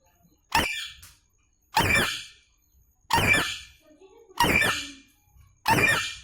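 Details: Rose-ringed parakeet calling: five harsh, screeching squawks spaced about every 1.2 seconds, each loud, grating and quickly fading, with near silence between them.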